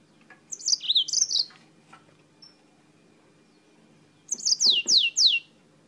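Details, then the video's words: Singing yellow-fronted canary from Spain: a short burst of high chirps and warbles, a quiet gap, then a run of four clear downward-sweeping whistled notes over a low background hum. "CANÁRIO-DE-MOÇAMBIQUE DIRETO DA ESPANHA CANTANDO MUITO"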